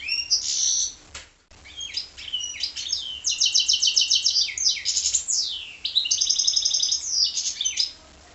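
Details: Continuous warbling from a goldfinch-canary cross, mixing high twitters, fast repeated trilled phrases and swooping downslurred notes, with one brief dropout early on.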